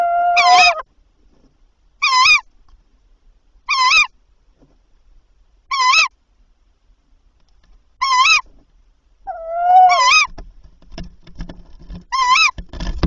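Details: Tawny owl calling in the night of 7–8 April 2023 during prey transfers, the male bringing three prey by 01:00; rasping, wavering notes repeated roughly every two seconds, seven in all, one preceded by a long tonal wail, then faint rustling.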